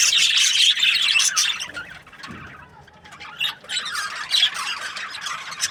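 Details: Chirping budgies from breeding pairs: a loud burst of high chattering for about two seconds, a quieter lull with a faint low thud, then scattered chirps and warbles returning.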